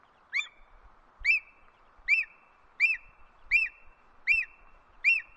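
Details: Ornate hawk-eagle call: a sharp, high whistled note with a short trailing tail, repeated steadily about every three quarters of a second, seven times, in near silence.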